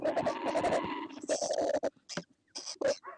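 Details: Australian laughing kookaburra giving a rapid, throaty chuckling laugh, a string of quick harmonic notes repeated densely for over a second, then breaking into shorter separate bursts and scattered sharp notes.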